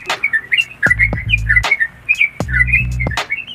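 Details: Actively singing Yellow-vented Bulbul delivering 'nguklik' clicks said to rile other birds: dense chattering run of liquid whistled notes, loud sharp clicks, and short bursts of low buzzing sound.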